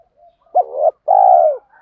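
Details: Spotted dove coo, from male and female birds, played to stimulate birds being trained. A faint murmur is followed by a strong, sudden coo and a long, even, slightly falling note.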